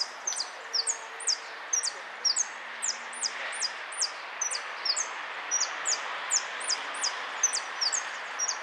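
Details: Goldfinch song of bright, high, downward-sliding chirps repeated in a fairly even stream, about two notes per second, against a constant low hiss and a brief faint hum.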